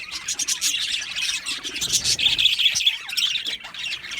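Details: Aviary budgies, called happy, keep up a lively chorus of high chirps, rasps and short whistled notes, with a brighter cluster of clear tweets in the middle of the stretch.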